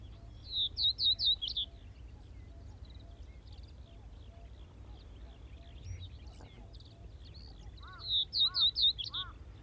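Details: Common Reed Bunting singing at Wakka Primeval Flower Garden, Hokkaido, Japan: two brief phrases of four or five sharp, high chirped notes given in quick succession, several seconds apart, with a few lower arched calls from another bird and steady low rumble.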